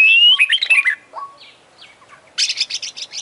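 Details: Oriental magpie-robin in full vigorous song, beak open and tail spread: a loud rising whistle breaking into warbled twists, a pause, then a fast dry rattle of high notes.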